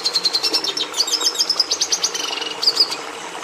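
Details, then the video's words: A Red siskin delivers a short burst of song: quick, high, metallic twittering notes rattled in fast series, a brief sustained buzzy note near the end, then a final sharp chirp, with low hiss in the background. "Canto do Tarim da Venezuela"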